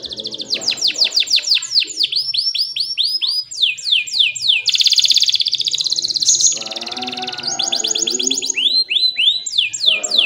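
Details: Canary song intended for training juvenile canaries and coaxing quiet ones: fast series of descending sweeps, a dense buzzy trill, then more sweeping phrases, sung loudly and continuously.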